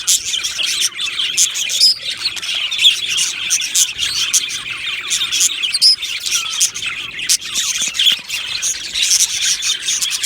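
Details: Budgerigars in an aviary colony, described as happy, give a dense, continuous chatter of high warbles and sharp chirps, with a few brief clear whistles standing out around the second and sixth seconds.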